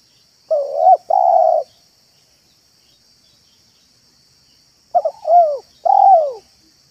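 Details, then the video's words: Trained spotted dove cooing in a yard, recorded as a lure to attract wild doves. Two phrases a few seconds apart, each two short notes then a long slurred, falling coo. A steady high electrical hum runs throughout. "BALAM AJARAN MANGGUNG DAN MERATUS DI LAMAN ⭐ MEMIKAT BALAM"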